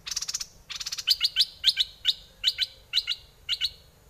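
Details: Decoy red-whiskered bulbul singing in aggressive style or wild mate-calling song: a rapid buzzy burst, then a steady series of sharp, high chirped double notes repeated roughly every half second, with faint low background hum.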